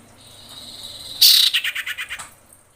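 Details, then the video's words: Female common iora in breeding condition calling males. A loud, buzzy trill starts fast, then breaks into slower, distinct pulses that fade out over about a second. "SUARA SIRPU/CIPOH BETINA BIrahi memanggil jantan"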